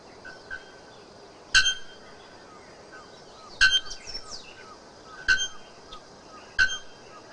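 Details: Bare-throated bellbird giving loud metallic ringing 'bell' strikes, four sharp clanging notes about every one to two seconds, each with ringing overtones, over a faint hiss with a few soft chirps between.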